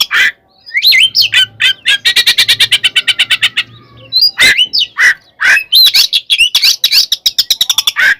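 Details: Oriental magpie-robin fighting song for provoking rivals: harsh squawks and a fast rattling trill of rapid clicks, mixed with slurred whistles and scratchy notes.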